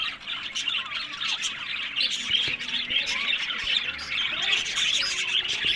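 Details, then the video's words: Captive breeding budgerigars in Larkana, Sindh, keep up a dense, continuous chatter of quick warbled chirps and squawks from many birds at once, with brief clicks and faint low sounds underneath. "Buddies Parrot Voice"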